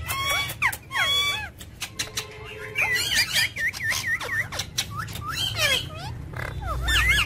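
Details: Talking ring-necked parakeet in a busy, continuous stream of chatter: rapid looping, wavering harmonic notes, clicks and short squawks crowding one another almost without pause, with a low hum underneath.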